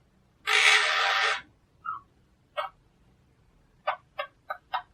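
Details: Pet monk parakeet, also called quaker parrot: one long harsh squawk lasting about a second, then a short squeak and a run of brief, clipped chattering calls, the last four coming in quick succession.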